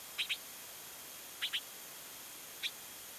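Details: Evening recording of a bald eagle at Fraser Point, 24 March 2019: high, thin chirps in two quick doubled pairs about a second apart, then one lone note, each brief and piping, against faint constant hiss.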